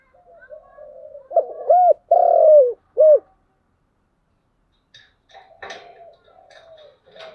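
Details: Spotted dove singing in the giọng đồng coo style: three loud, low hooting notes, the middle one long and slightly falling, followed by fainter coos mixed with sharp clicking and tapping noises.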